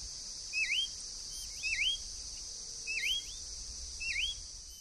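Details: Free-living wild Green-backed becard (Pachyramphus viridis) giving four short, sweet upslurred whistled notes about one per second, over a steady high insect buzz.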